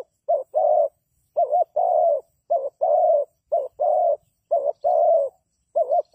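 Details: Spotted dove decoy for trapping, cooing in quick succession: about six phrases, each a short wavering double note leading into a longer, steady low coo, roughly one phrase per second.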